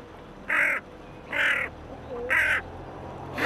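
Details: A lone hooded crow among waterbirds on the Elbe at Pirna gives three harsh, hoarse caws about a second apart, with a fourth starting at the end; perhaps calling for other crows.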